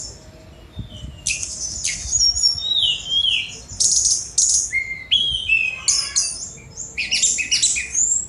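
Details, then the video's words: Sunda robin song: after a quiet start, high bright whistles, sharp downslurred notes and buzzy rattling bursts in quick, varied phrases, with short gaps between outbursts. "Tledekan Gunung Speed Mewah"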